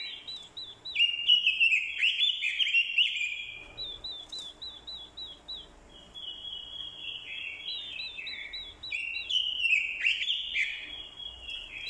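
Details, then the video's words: Orange-headed thrush fighting song from a decoy bird, with a female's call used to excite the male. Long, rich runs of rapid warbled and slurred whistles, with a quieter stretch midway before the vigorous singing resumes. "Chim Quế lâm mồi, hót đấu cực hay. kèm tiếng quế lâm mái, kích trống hót đấu hay."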